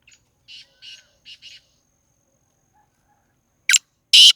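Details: Black francolin in Sindh, Pakistan: four faint, distant-sounding raspy notes in quick succession, then after a pause two loud, harsh grating bursts close by, with no other sounds.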